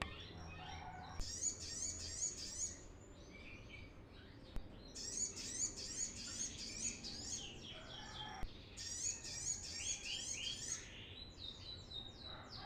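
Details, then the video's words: Brown-throated sunbird song used as a lure for training birds: three long bursts of high rapid wavering twitters and chirps, separated by brief quieter gaps marked by clicks. "suara ASLI Kolibri kelapa gacor"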